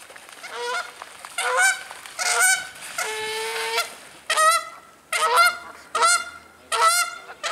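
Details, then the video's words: Canada geese fighting with each other, giving loud harsh honks in bursts roughly every second, some drawn-out nasal honks among shorter clipped ones, several birds calling. "Fighting Canadian Geese"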